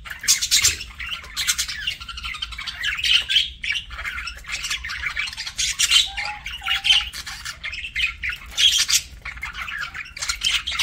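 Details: Pet budgie at a meal: uneven scratchy crackling and pecking bursts throughout, with a few thin, faint tonal chirps around the middle.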